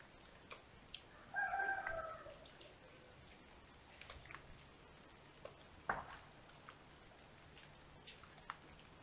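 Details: Ringed female little owl on an early morning visit, 6:37 AM on 28 November 2021, to a nest in a house attic at Tiszalök, Hungary, near Hortobágy National Park, filmed by nest cam: one drawn-out, nasal mewing note amid soft taps and scratches.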